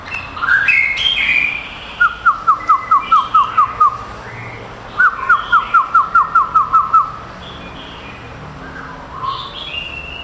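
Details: Male white-rumped shama that took third place at a contest in Kuala Lumpur on 22 April 2012. Rich whistled phrases lead into two runs of about nine rapid, evenly spaced notes, then clear fluty whistles close the passage.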